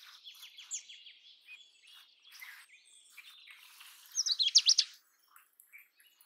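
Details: Indian robin singing: a run of quick, falling, clipped notes, then scattered softer chirps, and near the end a burst of loud, sharp, high chattering notes before a near-silent pause with a few faint chirps.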